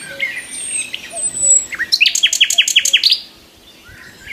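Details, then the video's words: Morning tree song of a nightingale: a few scattered whistles and upslurred notes lead into a loud, fast, evenly paced series of sharp repeated notes, then quiet with faint background whistles. "Nightingale morning song on the tree"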